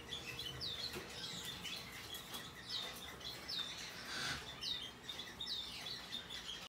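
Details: Hand-tame rosy-faced lovebird chick, white-face Australian cinnamon, 3 April 2022, repeating bright, high downward-sliding chirps about once a second, with a brief rustle or wing flutter midway and a low hum throughout.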